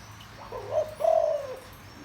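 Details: Deep-voiced spotted dove cooing to draw in wild birds. One soft phrase: a brief opening coo, a short pause, then a longer, rich coo that slides down slightly, against a quiet background.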